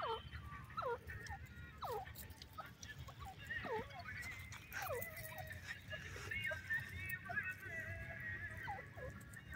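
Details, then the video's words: Several francolins, called partridges or pheasants, give short, slurred downward whistles, overlapping and repeated every second or so, over a steady low rumble with some higher chattering. "cute partridge beautifull voice,beautifull pheasant sound"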